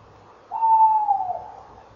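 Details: Tawny owl calling at a nest box at 19:22 on a November evening in 2013, as a female arrives at the box: a single drawn-out, smooth, mid-pitched hoot lasting about a second, slightly falling and fading, in a quiet setting.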